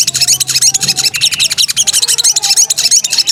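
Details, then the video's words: Breeding-condition female sooty-headed bulbul calling for a male: a steady stream of quick, piercing high chirps, close to three a second, over quiet background. "suara burung sogok ontong gacor..."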